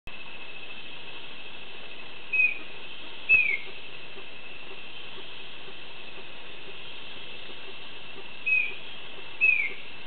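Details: Male Chestnut-backed Antbird (Myrmeciza exsul) singing at La Selva Biological Station, Costa Rica: two pairs of short, clear whistled notes, each pair about a second apart, the pairs about six seconds apart, over a steady background hiss.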